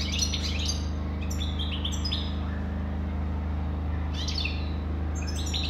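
A European goldfinch sings bright, tinkling twitters and slurred notes in two quick bursts, over a steady low electrical hum.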